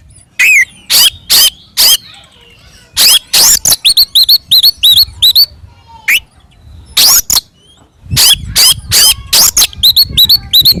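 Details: Oriental magpie-robin fighting song for provoking other birds: rapid, energetic strings of sharp whistled upslurs and harsh scratchy notes, nearly continuous with brief gaps.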